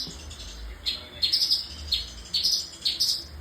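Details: A sooty-headed bulbul singing vigorously with a richly varied song. Short, slightly buzzy, falling phrases are repeated about every half second over a steady low hum.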